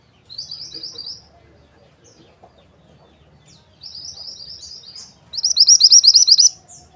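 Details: A calling Mountain white-eye aimed at luring males gives quick runs of high, slurred chirps, then a softer phrase, building to a loud, rapid trill of bright notes.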